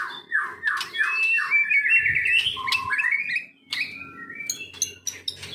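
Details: Medan-type white-rumped shama, kept and trained to copy other birds: a run of descending slurred whistles and chattering phrases, followed by scattered high chips, with faint low background noise.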